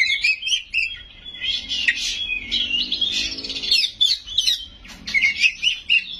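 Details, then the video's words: White-rumped shama song packed with imitated phrases, delivered loud and continuous: dense high chattering and whistled notes, a brief quieter stretch midway, faint low droning tones underneath. "Suara Burung Kacer Gacor full isian Nembak"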